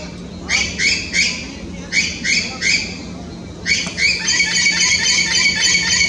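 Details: Orange-winged amazon (curica) in the Amazon, calling to its flock in late afternoon before going to roost: loud harsh squawks in quick runs of two or three, then a dense overlapping chorus of several birds, with a steady low hum behind.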